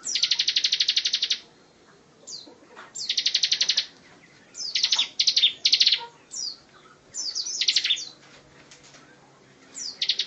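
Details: Bar-winged prinia (ciblek) singing a dense 'tembakan rapat' style song, used as a tutor recording for other songbirds: rapid buzzy trills of about a second, repeated with short downslurred chips between bursts.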